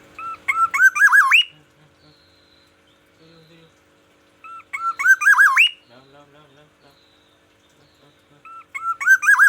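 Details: Black-naped oriole from Aceh, a kept bird singing in the morning: loud liquid whistled phrases that rise and warble, given in three bursts about four seconds apart, with quiet gaps and faint low voices between.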